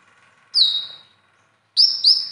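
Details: Konin trained with other birds' song material gives a single loud descending whistled note, a pause, then two more sharp whistles close together.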